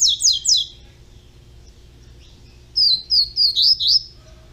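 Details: A young double-collared seedeater in captivity gives a quick burst of three sharp descending notes, then after a pause a run of five high, swooping whistles, with a steady low hum in the background.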